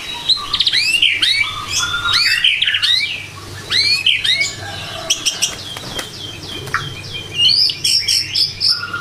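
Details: White-rumped shama song in a morning lure recording meant to get birds singing quickly: a busy run of rising whistled slurs and sharp upswept notes, several overlapping phrases, with bursts of high chattering near the end.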